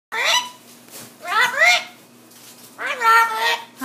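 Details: Pet parrot indoors giving three drawn-out, voice-like calls, each rising then falling in pitch, separated by short quiet gaps, with a person greeting it and wishing happy birthday.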